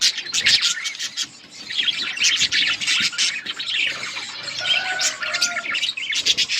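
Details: Chorus of budgies in a breeding colony, continuous scratchy warbling and chattering from many birds, with short squawks and a few steadier whistled notes.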